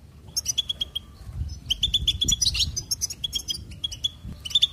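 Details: Goldfinch pouring out fast twittering song, strings of short high chirps and buzzy trills almost without pause, over a soft low rumbling background.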